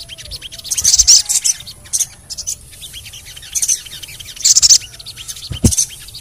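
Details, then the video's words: ['Ruby-cheeked sunbird (sogon) therapy recording to get birds singing: scattered loud bursts of very high chirping among softer, quick tseet notes, with a low thump near the end.'] "TERAPI SOGON MALAS BUNYI❗PAKE AUDIO INI DIJAMIN BURUNG SOGON MANAPUN PASTI IKUT BUNYI GACOR NGLEPER"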